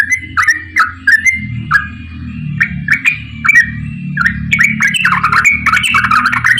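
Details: Busy yellow-vented bulbul giving a long ropel song meant to coax quiet bulbuls into singing: liquid chirping phrases, spaced at first, then crowding into a fast rising chatter, steady low hum beneath.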